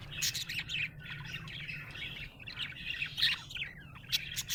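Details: A happy budgerigar chirps in bright bursts of squeaky, buzzy warbles with sharp clicks and short upslurred whistles, over a low steady hum.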